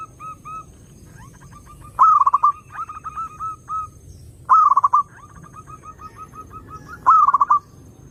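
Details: Perkutut, zebra dove, singing to lure other doves: loud rolling trilled phrases repeated roughly every two and a half seconds, each followed by long strings of softer, evenly repeated coos.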